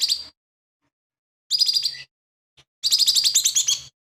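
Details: Lively song of a lesser green leafbird, said to include imitations of other birds; a brief opening burst, a second chirped phrase, then a longer run of fast rattling notes lasting about a second.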